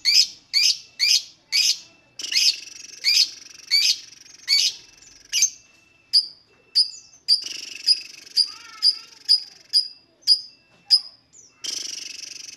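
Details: Lovebird song used to prompt other lovebirds to sing: a run of sharp, high chirps repeated roughly every half second, shifting into thinner whistled notes and a harsh screech at the end.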